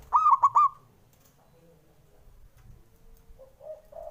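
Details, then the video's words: Male zebra dove voice meant to rouse lazy birds into calling: a fast burst of three or four sharp, ringing coos, followed by faint softer cooing and low background rumble. "JENIS SUARANYA🔊 PALING BANYAK DI CARI UNTUK PENDOBRAK PERKUTUT MALAS BUNYI"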